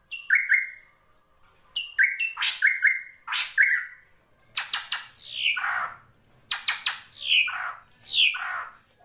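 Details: Drongo master song for training songbirds. Chirps and whistled tones with harsh rasps open the passage, then it shifts to long scratchy downward-sweeping screeches in two paired groups.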